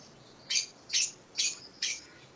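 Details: Lovebird in training for ngekek singing: four short, harsh, high chirps spaced about every half second, over steady background hiss.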